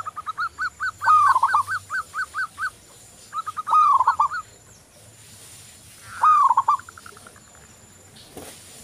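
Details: Local zebra dove singing steadily: a string of short, even coos followed by slurred, dipping notes, the pattern repeated three times with brief gaps, plus a faint low hum.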